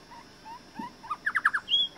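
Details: Young grey shrike-thrush visiting a garden one morning at Renmark, South Australia, from a wild family hand-fed for generations; a few soft mid-pitched notes, then a quick run of five falling whistled notes ending in a rising whistle.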